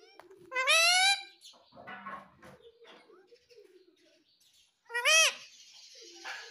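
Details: Pet ringneck parrot giving loud harsh arched screeches, one near the start and another about four seconds later, with quiet chatter and soft household sounds between.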